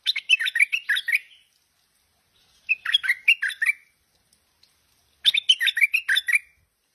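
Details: Tame Stripe-throated Bulbul repeating a chattering, bubbly phrase three times, each burst of rapid warbled notes lasting about a second and a half, separated by short silences.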